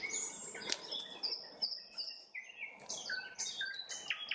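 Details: Sunset nightingale song of long pure whistles, sliding notes and short trill bursts, with faint background noise.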